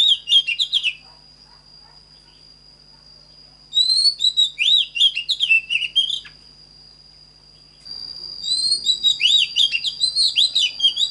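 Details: Oriental magpie-robin song used to train birds in the standard voice: three bursts of rapid, varied whistled and twittering notes separated by pauses of a few seconds, over a constant high-pitched tone.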